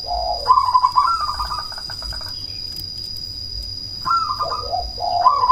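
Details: Cemani zebra dove with a big voice, played to stimulate rival doves and breeding drive: lower soft coo leading into a rapid rattling trill, a pause, then the same low-to-high phrase repeated, over a high steady whine.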